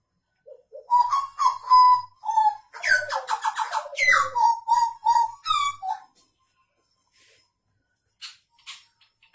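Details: Hooded butcherbird (blorok), a kept singing bird, 29 October 2019: a run of melodious whistled notes building into a fast, rich warbled burst, then fading to a few faint, scattered notes.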